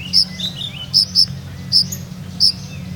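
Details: Olive-backed sunbird from Purworejo with a rhythmic 'ngeroll nembak' song: a few loud, piercing high notes, some doubled, separated by soft lower slurred twitters.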